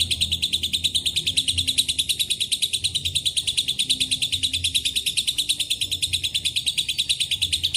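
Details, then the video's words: Steady lovebird chatter in the long ngekek manner, mixed with cililin and canary song; bright, rasping pulses repeat very regularly at about three per second without pause. "LB NGEKEK PANJANG ISIAN CILILIN & KENARI"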